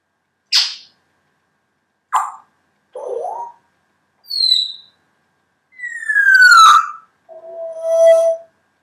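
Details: Captive female grey parrot that had lost feathers, in her first half-year at a new home, sings a varied run of sharp clicks, short whistles and a long falling whistle.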